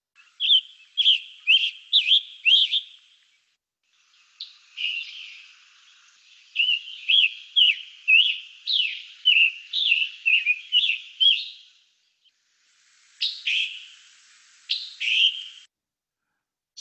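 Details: An adult male scarlet tanager in woodland near hilltop openings in Carroll County, Ohio, sings hoarse, raspy robin-like phrases, then gives its sharp two-part call, a giveaway for the species.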